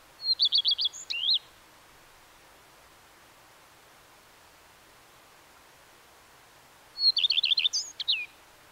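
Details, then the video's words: Two separate song phrases of a Common redstart, roughly six seconds apart: a high opening note, a quick run of repeated rolling notes, then a short varied flourish, with near silence between. "The song of the Common Redstart"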